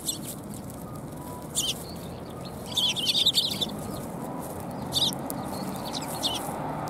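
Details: Flock of sparrows arriving to be fed at Tenmangu shrine, January 4, 2021; bursts of quick, high twittering chirps, clustered in the middle and again near the end, over low rumbling noise.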